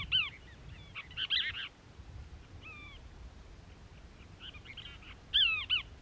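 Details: Cassin's Kingbird from a family group, perched on a castor bean shrub in Moro Canyon, Crystal Cove State Park, California, in December 2021, uttering scattered rough, arched notes, with a louder swooping pair near the end, against faint low rumble.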